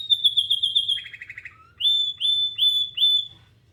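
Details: Canary song from a bird looking for other canaries: a loud, high rolling trill, a lower rapid trill, a short dropping note, then four ringing upslurred whistles in quick succession.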